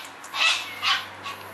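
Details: A wild male cockatoo, a long-time regular visitor, feeds at a property alongside short-billed corellas after heavy rain, February 2010: two harsh, broad screeching squawks about half a second apart, then a fainter third; a man speaks briefly.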